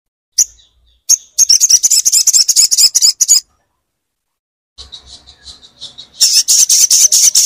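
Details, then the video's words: Crimson sunbird (sogon) song, used to stimulate a silent bird to sing: a rapid run of high, sharp buzzy notes, broken by a short pause, then another fast high trill. "pastikan sogon macet dengar suara ini"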